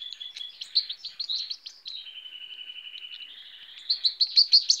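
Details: Hand-reared baby goldfinch begging while being fed, recorded in 2018; continuous high, thin chirping and trilled squeaks, a steady buzzy stretch mid-way, then louder rapid repeated cheeps.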